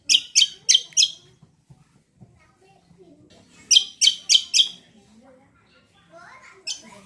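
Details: Leafbird lure song, a greater green leafbird (cucak kombo) used to make other birds answer: a rapid run of four loud, sharp, buzzy notes, a quiet gap, then another set of four, with faint chatter.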